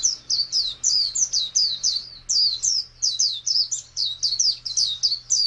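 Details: Oriental white-eye giving its wild-type ngalas song, a busy series of high, thin, looping notes in short bursts separated by brief pauses, over a low steady hum.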